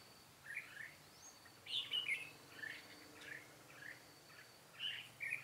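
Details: Red-whiskered bulbul singing as a decoy during trapping with a butterfly-wing trap, 13 March 2017; sparse, short warbled phrases spaced about a second apart against a quiet hiss and faint insect-like buzz.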